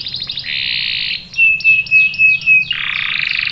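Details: Canary song, described as a female in breeding condition calling the male and used to draw young males into singing: buzzy trilled phrases, then a series of five quick clipped sweeping notes over a thin steady whistle, then another rapid buzzy trill.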